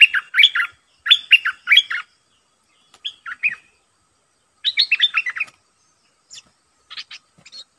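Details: Caged red-eyed bulbul used as a decoy bird to lure wild birds. Three quick bursts of bubbly, warbled notes, a short pair of notes, another bubbly burst, then scattered thin notes, with a quiet background.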